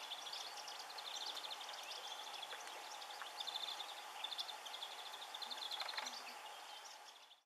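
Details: Bramblings at Otmoor RSPB, Oxfordshire, on 20 March 2016 chatter in a steady stream of high, short chirps and twitters, several birds calling over one another, against a low steady hum.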